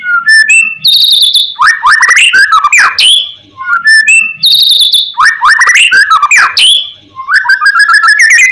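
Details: White-rumped shama (murai batu) lure song intended to make other shamas answer: a whistled phrase of clear high notes and rapid slurred chatter, given twice with a brief pause between, ending in a quick rising trill.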